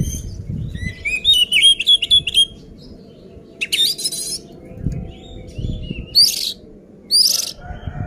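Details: Oriental magpie-robin song meant to provoke rival birds into fighting: a run of quick repeated whistled notes, then separated harsh rasping bursts and sharp rising whistles over steady low hum.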